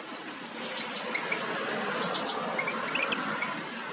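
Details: European goldfinch young almost ready to leave the nest, from a Major carrier of aminet crossed with Parva Ancestral; thin high chirps in a quick cluster at the start, then scattered faint tweets over steady background hiss.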